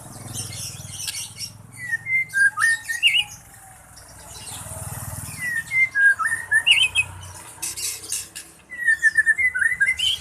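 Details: Songbird in breeding condition, beginning to attempt the 'trek' style; bursts of quick chirping and twittering notes separated by quiet pauses of a few seconds, over a low background hum.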